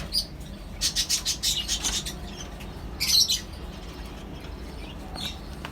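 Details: Mixed colony of small lovebirds, cockatiels and budgerigars kept together in a colony setup; bursts of shrill, scratchy chirps in quick series, a pause, then another sharp cluster of high squeaky calls over a low background hum.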